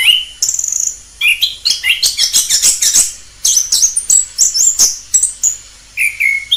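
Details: Orange-headed thrush in the wild with a fast, varied song: a rapid ticking trill, then dense bursts of high chips and whistles, ending with downslurred clear notes.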